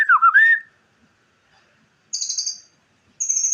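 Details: White-rumped shama (murai) song meant as a training recording for other songbirds: a loud, dipping whistled slur, then silence broken by two high, buzzy, rapidly stuttered rattles.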